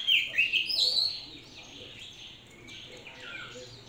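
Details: Clear high warbled phrases open, then softer twittering continues from a hand-raised, caged Oriental magpie-robin.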